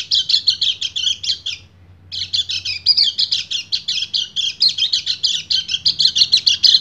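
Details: Singing male white-eye calling a female in breeding condition: rapid high twittering for about a second and a half, a brief half-second pause, then a long unbroken stream of quick chattering notes.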